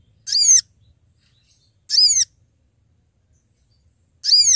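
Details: Sooty-headed bulbul calling companions, a recording meant to lure birds for trapping: three clear, high, harmonic notes, each a quick sliding chirp about a third of a second long, spaced roughly two seconds apart in quiet surroundings.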